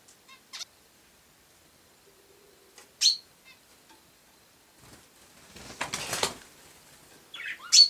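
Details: ['House sparrow giving a few scattered sharp chirps, one loud chirp in the middle and another at the end, with a burst of rustling or fluttering noise in between.']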